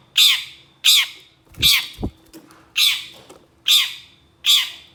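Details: Long-tailed shrike repeating loud, raspy squawking notes roughly every three-quarters of a second as an agitated reaction to another shrike species. A low thump is heard midway through.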